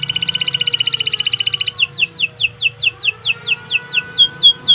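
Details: Long canary song meant for training other songbirds: a fast buzzy trill of evenly repeated notes, then a run of sharp descending whistled sweeps repeated about four times a second, over a faint low hum.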